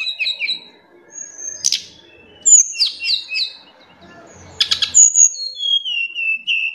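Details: High twittering song from a tledekan gunung in the afternoon: paired chirps, buzzy bursts, then a clear whistled phrase falling in steps at the end.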